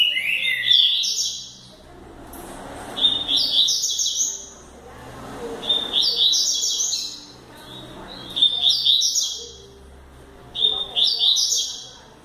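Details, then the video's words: A double-collared seedeater sings five quick, high, twittering phrases, each about a second long, repeated every two to three seconds over faint low background noise. "coleiro futuro campeao velosista"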